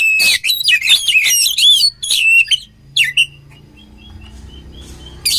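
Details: Oriental magpie-robin song used for training birds, with rapid loud warbled and whistled notes at the start, a few faint soft notes after, then a final sharp burst.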